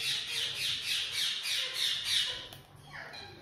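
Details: Sulphur-crested cockatoo, apparently kept as a pet, letting out a rapid series of harsh, raspy squawks, about eight bursts in quick rhythmic succession, then a break and a softer rising call at the end.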